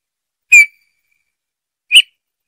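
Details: Two soft, descending whistled notes from a Eurasian bullfinch, about one and a half seconds apart, the second slightly rougher, in an otherwise silent setting.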